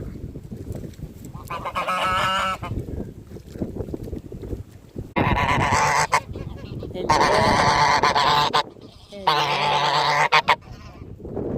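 Domestic goose giving loud, harsh, nasal honks in long drawn-out bursts, with a quieter honk earlier and a low background rumble.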